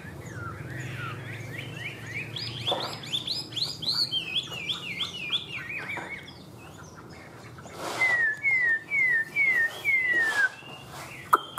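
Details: Caged Chinese hwamei, a kept songbird from northwest Vietnam's mountain forests, singing bright whistled phrases: rapidly repeated rising-falling notes, then after a pause a series of five clear downslurred whistles at a steady beat.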